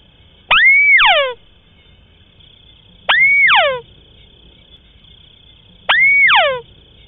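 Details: White-browed crake call recording, unedited, used as a lure for hunting crakes in swamps and rice fields: three loud calls about every three seconds, each a sharp upward note, a held whistle, then a fast falling cascade of notes, over a steady high hum.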